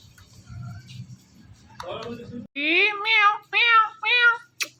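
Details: Pet Indian ringneck parakeet talking indoors, producing a run of meow-like harmonic syllables, four bright wavering notes in quick succession after low background murmur.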